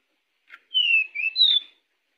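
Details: Pied bushchat (Saxicola caprata) song used as a lure: a short buzzy note, then three clear whistles, the first two sliding downward and the last higher.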